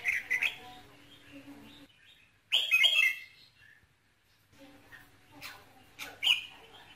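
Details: Red-whiskered bulbul song used to excite a male bird, with bright, slurred whistled phrases at the start, near the middle and at the end, separated by quiet gaps with faint background murmur.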